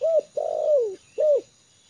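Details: Spotted dove trained as a decoy, at ease on the ground, giving a short arched coo, a long downward-sliding coo, and another short coo in quick succession.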